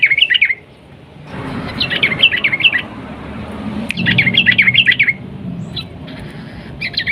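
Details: Sooty-headed bulbul in energetic 'ropel panjang' style song, used as a lure to provoke other bulbuls into singing: bursts of fast, bubbling, warbled notes repeated several times, with low rumbling background noise between phrases.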